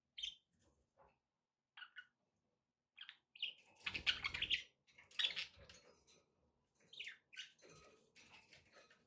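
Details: Budgerigars calling indoors, with short bursts of chirps and scratchy warbles, then a denser stretch of chattering with a noisy, broadband rustle in the middle.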